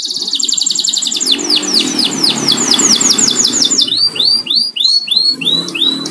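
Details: Home-kept canary singing during coffee time: a buzzy high roll followed by a run of repeated downward-curving whistles and later spaced arching notes, over a steady low background hum.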